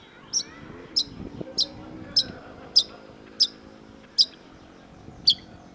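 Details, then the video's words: Long-tailed shrike singing sharp high notes spaced about every 0.6 seconds over a low background rumble. "cendet gacor MASTERAN CENDET DURASI PANJANG || Long-tailed Shrike"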